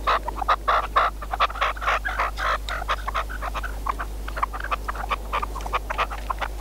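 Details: Red-legged partridge serving as a hunting decoy, calling in rough clucking bursts, several loud notes at the start, then a steady uneven stream of shorter chatter over a low hum.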